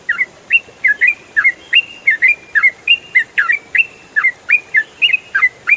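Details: Yellow-vented bulbul, ropel style, clear audio for teaching songbirds: loud steady stream of short whistled chirps, many doubled with a rising then dropping note, packed closely throughout.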